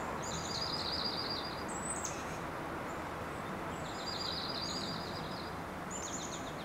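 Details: In early spring a slate-colored dark-eyed junco sings short, dry, high trills of rapid even notes, each lasting about a second and a half, over a steady low rumbling background.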